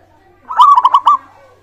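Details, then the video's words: Single short zebra dove phrase used as a song lure: a rising coo that breaks into four quick pulsed notes within about half a second. "pancingan burung perkutut gacor suara disukai bikin cepat bunyi langsung nyaut manggung gacor"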